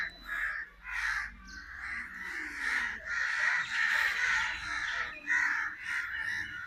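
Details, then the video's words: Crow giving loud, hoarse caws roughly once or twice a second, each a broad rasping burst, with a quiet background. "Crow's Crowing Sound"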